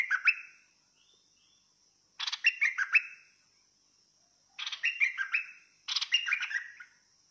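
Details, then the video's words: A bulbul sings fierce-style: four short, jerky phrases of stuttering, descending notes spaced a few seconds apart, against a continuous high-pitched background tone. "นกดอกแตง สายดุ!! Burung merbah lekir bay hoach thom Gacor Bahanan"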